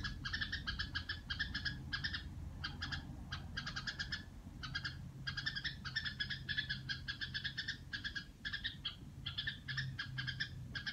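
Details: Caged Red-whiskered Bulbul at home, nearly nonstop buzzy rattled pulses grouped in short bursts, the 'rò' style of song, with low mechanical hum beneath.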